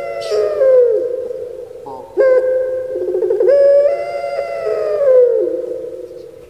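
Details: Home-kept puter pelung turtle dove of Java, Indonesia, producing ringing prolonged coos broken by abrupt pitch jumps and brief burbling stutters.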